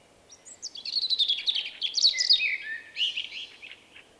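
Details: Male Common blackbird, shy and easily startled, March 2024, delivers his own distinctive song: a fast run of high chattering notes that slides downward into a fluty ending, followed by a brief softer twitter.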